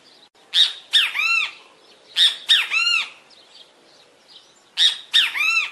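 A great kiskadee repeats its loud three-part phrase, two sharp shrill notes then a longer slurred, arching note, about every two seconds against a quiet background.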